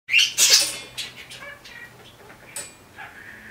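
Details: A pet budgerigar playing on a swing gives a burst of harsh, buzzy chirps followed by softer warbling chatter.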